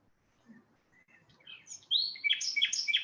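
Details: Common nightingale (Luscinia megarhynchos), which arrives in Iberia from sub-Saharan Africa to breed and favours wild habitats, sings soft notes building into loud, rich whistles and quick sharp phrases repeated several times a second.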